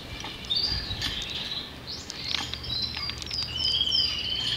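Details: Belgian canary in a breeding room singing amid rustling: thin whistled notes, short rising sweeps and chirps scattered over nearly five seconds, with a low background hum.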